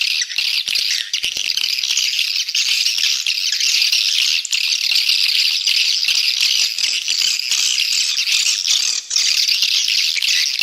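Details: Lure call meant to draw swiftlets in and grow the colony: shrill, crowded chattering and buzzy chirps running nonstop at high pitch, with occasional short dips in loudness.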